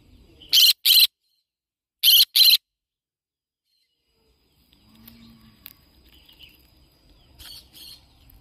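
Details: Yellow-sided conure parrot giving two pairs of loud, rasping screeches a second apart, then quieter background noise and a fainter final pair of calls.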